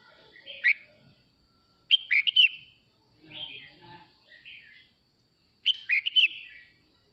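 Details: Male red-whiskered bulbul singing to call its flock: short bubbly, whistled phrases of quick slurred notes, four bursts spaced one to four seconds apart, with quiet gaps between.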